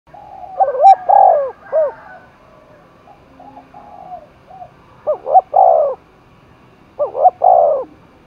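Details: Spotted dove spurred to fight, cooing across the hills and forest of Đồng Nai: three low two- and three-note coos, each ending in a long drawn note, with softer quiet coos in between.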